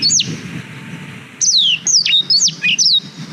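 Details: Song of a black-throated canary used to teach canaries, GoPro Hero 5 recording: one high falling whistle, a pause, then a quick series of descending slurred notes and trills.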